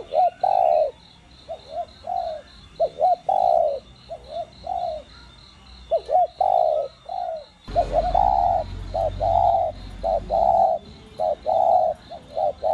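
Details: Cooing spotted dove in the standard 'đồng' voice, recorded to stimulate captive birds. A long run of low, hollow coo phrases of short and longer notes overlaps a pulsing insect chirr, with a low rumble partway through.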